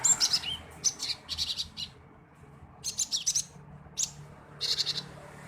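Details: Male cinereous tit chirping to provoke other birds to sing. Short bursts of high, thin chirps and quick rising notes come in clusters of three to five, separated by brief pauses.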